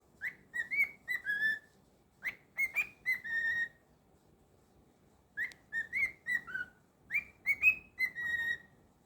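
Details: Pet cockatiel whistling a clear, tuneful phrase of several rising and falling notes, repeated four times with short pauses between.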